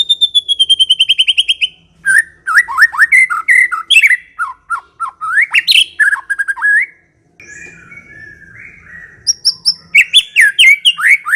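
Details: Ngekek song of a white-rumped shama: a quick run of high repeated notes, then a long, varied torrent of whistles and chatters, a brief gap, and a drawn-out whistle before fast repeated notes resume.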